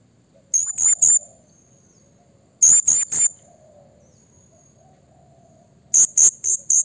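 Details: Blue-crowned hanging parrot calls used to provoke rival birds: three bursts of very high, sharp, shrill notes in quick triplets and quadruplets near the top of the range, separated by short quiet gaps.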